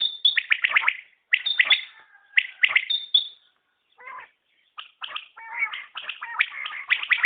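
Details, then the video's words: Rapid high quail phrases of liquid triple notes, then a softer stretch with lower, tonal fragments before the clipped calling resumes. "Batair Ki Awaz | Common Quail Calling"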